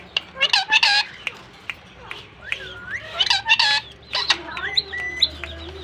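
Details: Pair of pet rose-ringed parakeets interacting: scattered sharp chirps, short squawks and rising whistled notes, irregular and conversational, over a faint background hum.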